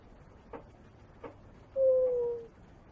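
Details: Pet African grey parrot kept indoors, giving one clear, steady whistle that slides slightly downward over about three quarters of a second, preceded by two soft clicks in a quiet room.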